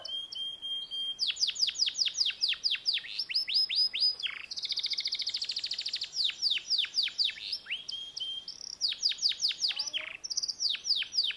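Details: Canary in continuous song: bursts of swift descending whistled sweeps alternating with a long fast buzzy trill, then renewed rapid cascades of falling notes, high-pitched and loud throughout.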